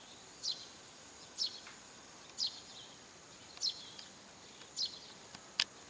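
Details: Eurasian tree sparrow (Passer montanus) calling persistently from a rooftop around 7 a.m. in early morning: six short, sharp, high chirps, roughly one per second, over a faint steady outdoor hiss.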